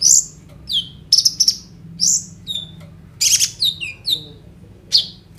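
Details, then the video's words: High, piercing sunbird song from a kolibri ninja filled with borrowed phrases, phone recording: scattered sharp chips, short downslurred whistles and a dense buzzy burst, with brief pauses between notes. "KOLIBRI NINJA GACOR FULL ISIAN ROLL TEMBAK, COCOK UNTUK PANCINGAN KONIN BAHAN BIAR BUNYI"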